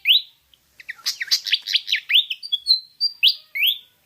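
Malaysian pied fantail singing a quick run of sweet, high whistled notes, each rising or falling sharply, in a bright jumbled phrase.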